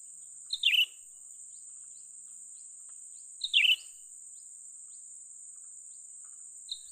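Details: Young cucak ranting bulbul calls during a trapping session: bright, falling, slurred notes repeated about every three seconds, with a soft tick now and then, over a persistent high hiss.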